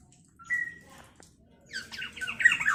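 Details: Vocally active black-naped oriole whose voice is said to provoke other orioles: a short thin whistled note, a brief pause, then a burst of harsh, nasal, descending squawks over a quiet background.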